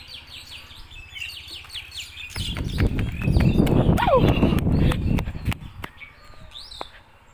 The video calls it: Amazing Natural Sound Of Birds